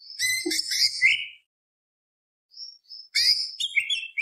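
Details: Greater green leafbird singing busy mixed phrases of whistles and chatter, a short low note early, a pause with two soft thin whistles, then another lively burst.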